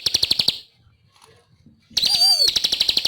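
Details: Ciblek (bar-winged prinia) in vigorous song on a training track. A short stretch of quick buzzy pulses fades into a quiet gap, then a curving whistled swoop leads back into the rapid high trill.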